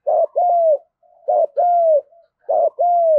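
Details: Three closely spaced fighting coos from a spotted dove, field-voice style used for luring: each a short stuttered note then a long smooth slightly falling coo, with soft low notes between.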